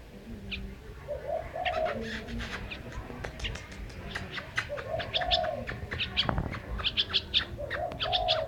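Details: Bird song in a busy mix: several soft, low cooing phrases with rising-falling arcs, while rapid high chirps and clicks grow denser toward the end.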